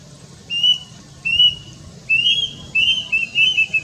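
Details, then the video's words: Shrill, plaintive whistles of a plaintive cuckoo, locally wiwik kelabu, recorded on a Nikon Coolpix P900: two spaced notes, then a faster cluster of four or five slurred whistles. "Suara Khas Si Burung Mitos (Pembawa Pesan Kematian) Wiwik Kelabu Atau Lebih Dikenal Dgn Nama Kedasih"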